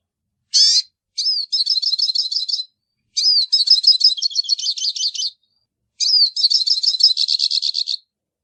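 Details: Pintassilgo baianinho, the hooded siskin, gives repeated twittering phrases: each opens with a downslurred whistle then runs into rapid, trilled high notes, three bursts separated by short pauses, no other sounds.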